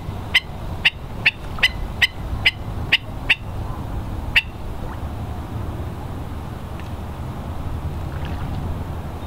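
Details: Hawaiian stilt (ae'o, Himantopus mexicanus knudseni) at West Loch Shoreline Park, Pearl Harbor, Oahu, at low tide on March 16, 2013: sharp, nasal yapping notes repeated about twice a second, eight in a row, then quiet with steady low rumble.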